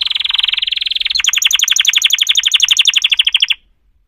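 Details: Singing canary delivers a smooth, rapid rolling trill, then switches to a slower series of sharp repeated notes, about eight per second, ending abruptly in silence.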